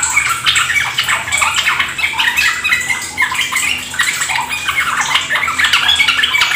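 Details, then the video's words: Trucuk, the sooty-headed bulbul, in a lure recording for drawing caged birds into fast ropel song; dense, rapid, jumbled chirps and short whistles run without pause over splashing, trickling water. "Pancingan trucukan agar ikut ropel gacor"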